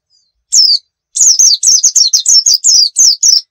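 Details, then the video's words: High-pitched nembak-style white-eye song used as a lure: one thin downslurred note, a short pause, then about ten quick, sharp, falling chirps in a steady, rapid string. "Masteran Pleci Nembak"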